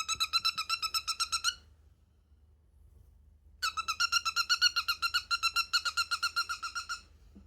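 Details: A pet cockatiel squeaks in short, evenly repeated creaky notes at about four per second. A brief burst is followed by silence, then a longer run of the same rhythmic pulses.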